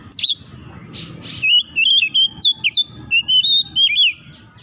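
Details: Song of an oriental magpie-robin, used to coax a bird that has stopped singing. It opens with a sharp high note and a brief rasp, then runs into a chain of clear, bouncy whistles and quick slurred phrases against low background noise.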